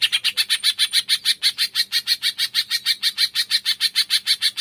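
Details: Green leafbird tembakan song for provoking silent birds to sing: a steady machine-gun series of about two dozen harsh, buzzy notes, roughly five per second, at even volume, with a soft low hum underneath.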